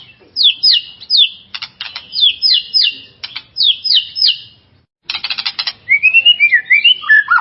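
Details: White-rumped shama song meant to rouse a rival shama: a rhythmic series of sharp, down-slurred whistles, about two per second, broken by harsh rattles, then a churring burst and a wavering whistled phrase.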